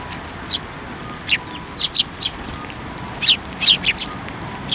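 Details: Sparrows flying onto a person's hand to take food at a Tenmangu shrine on 28 December 2023, giving short, high, sharp chirps in irregular bursts, several in quick succession, over a steady low background hum.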